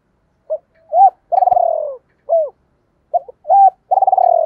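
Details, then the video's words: Double-voice cooing of a decoy spotted dove: two phrases, each a brief note, a rising-falling coo and a long vibrating downward purr, the first closed by a crisp coo, with a single click heard. "Tiếng Chim Cu Mồi GIỌNG ĐÔI Gáy Gọi Hay Nhất/ tiếng chim cu gáy kích"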